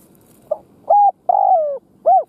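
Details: Decoy spotted dove giving its luring coo for wild doves: a soft pip, a steady level note, a long wavering coo sliding downward, then a rounded arched note, clear and close.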